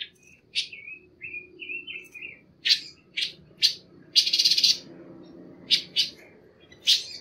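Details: Panca warna song recorded for bird training: a string of thin wavering whistles, then loud sharp chirps, a short harsh buzzy burst and more spaced chirps, against a soft low rumble.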